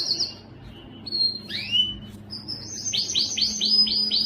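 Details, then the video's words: Canary singing, a recording meant to spur males into song: scattered high whistles and a swooping note, then a fast series of bright descending chirps repeated about five times per second. "صوت كناري مميز لتحفيز الذكر على التغريد"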